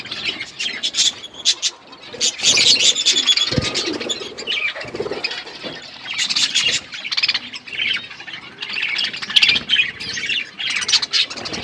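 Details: Eating budgies keep up steady, overlapping twitters and squawky chirps in rolling waves, with occasional dull taps and rustling in the background.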